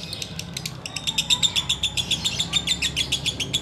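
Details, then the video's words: Kept sooty-headed bulbul in ngekek mode before the Ramadan fast is broken: a rapid run of sharp, evenly repeated chattering notes, close to four per second, steady throughout, above a faint low background. "Menikmati Ngekek Biang Kerok"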